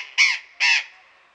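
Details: Captive burrowing parrot in a garden aviary at Pelhřimov, Czech Republic, on a February afternoon, 16 February 2018. Two harsh, loud squawks are heard about half a second apart, each rough and grating.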